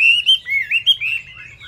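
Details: A brief phrase from a Chinese hwamei with feathers not yet dry: smooth, clear whistled notes sliding up and down in a flowing, melodious line.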